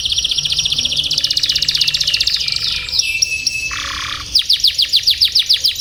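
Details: Canary tutor song for teaching young birds long rolls: rapid high buzzy trills, then a low sustained whistle, ending in a fast series of sharp downward-sweeping notes repeated several times per second.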